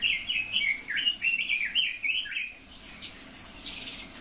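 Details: Red-billed leiothrix, heard with silver-eared mesias, delivering a lively run of about ten quick warbled notes, each a rising-and-falling slur, before fading into faint hiss.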